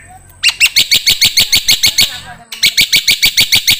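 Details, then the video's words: Black-winged myna song used as a training recording for songbirds: a quick run of harsh, chattering chirps repeated about five times a second, with a short pause midway before the series resumes. "MASTERAN KICAU Jalak Putih"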